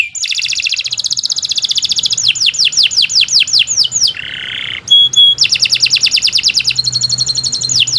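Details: Long canary song: a dense rolling trill, then a run of rapid falling slurs, a short low harsh burst, pure whistled pips, and another fast rattling trill.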